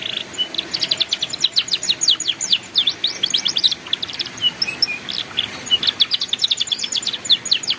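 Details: Ngeriwik canary song used to teach young canaries: continuous bright trills, rapid down-slurred notes and short whistled sweeps running without break for the whole stretch.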